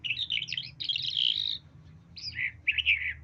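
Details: A talking common hill myna says words in raspy, word-like phrases: a long scratchy run, then after a pause two shorter grating bursts.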